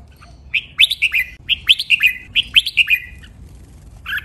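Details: Red-whiskered bulbul sings its training song in sweet, sharp counted phrases: three matching runs of cheerful, liquid whistles, each rapid note swooping upward, followed by a pause and one more short note.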